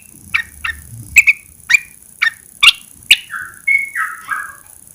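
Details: Red-eyed bulbul kept in a cage, heard right after its cover is lifted following 14 days of covering: sharp chirps repeated about every half second, then a few lower slurred whistles at the end, faint low rumble early.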